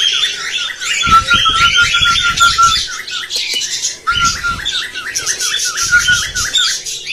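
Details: Cockatiel sound used to stimulate breeding and teach singing: busy high squawking chatter over a steady chain of wavy whistled notes, with bursts of low rumbling noise.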